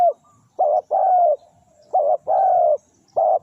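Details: Luring wild doves with a spotted dove's call: low, rounded coos in pairs, a short note then a longer one, repeated about every second and a half, clean background.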